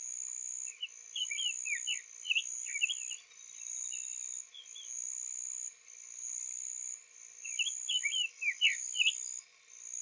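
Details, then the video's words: Male Summer Tanager newly arrived from spring migration, singing softly on the morning of April 3, 2023, at Owens Spring Tract, Lafayette County, Florida; two bursts of short slurred, burry warbled notes over a steady high insect buzz. "Summer Tanager Singing Softly"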